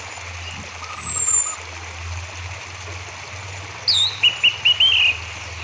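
Orange-headed Thrush song: a thin falling whistle, then a quick run of bright, high, warbled notes in four or five short bursts over a steady low hum.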